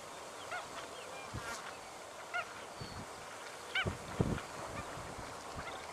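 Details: Banded stilts in Victoria, Australia, recorded September 2011: a few short nasal, honking calls with stacked harmonics, given singly and in a brief double burst, over low knocks and thumps and faint distant chatter.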